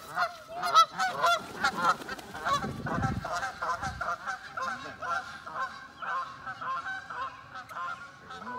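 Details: A flock of geese honks in a busy, overlapping chorus of nasal, repeated calls just before flying away, on May 4th 2019, with a burst of human laughter partway through.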